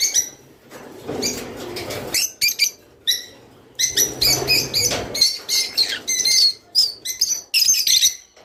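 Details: Java sparrow singing to stimulate mating: quick, high twittering chirps and clicks in irregular bursts, later becoming a run of clear, bright notes and short whistled slurs.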